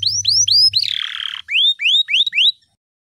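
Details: Canary worked up before a singing competition: clear upward-curving whistles repeated about every quarter second, broken by a harsh buzzing roll. Then comes a steady string of five more rising whistled notes, with a low hum in the background.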